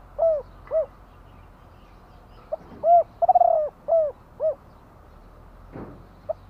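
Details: Spotted dove calling: two hollow coos, a pause, then a full phrase of short note, round coo, stuttering rolled coo and two descending clipped coos, with a soft thump near the end.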